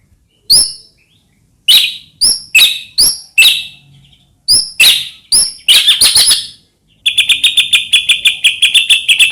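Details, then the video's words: White-rumped shama song, used to provoke other shamas into singing: loud separate whistled notes with sharp upslurs, then a fast buzzy trill of rapidly repeated notes toward the end. "murai batu gacor AMPUH buat PANCINGAN murai batu agar bunyi"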